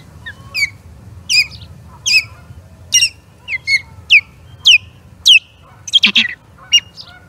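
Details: Osprey calling at the Charlo Osprey Nest on 21 April 2022 while skirmishing with an intruding third osprey: loud, rapid series of piercing, steeply falling whistled notes, about two per second, with a harsher burst near the end.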